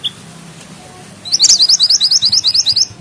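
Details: Bushchat, known locally as mantenan gunung, singing tightly rolled and sharp: a brief high chip, a pause, then a fast run of about thirteen evenly spaced, high-pitched upward-flicking notes.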